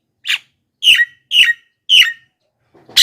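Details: Javan myna calls used to attract wild mynas: four short, harsh, rasping notes about half a second apart, each sliding downward, in an otherwise quiet recording.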